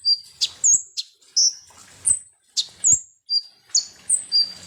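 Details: Konin or kolibri ninja sunbird song used as a lure to provoke other birds; piercing high tsip notes and short slurred whistles, roughly eleven in under five seconds, separated by dry clicks.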